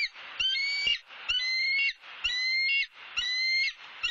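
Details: Bald eagle on its Southwest Florida nest, where the male has brought a turtle and nesting grasses and sticks. Squeaky, harmonic notes repeat about once a second in a steady chattering series.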